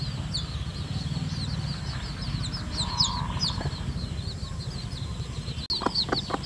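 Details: Red junglefowl chicks following a hen as she leads them to feed in the wild; a busy stream of high, piping downslurred peeps, a short mid-pitched note, then a few sharp clicks near the end over a low droning hum.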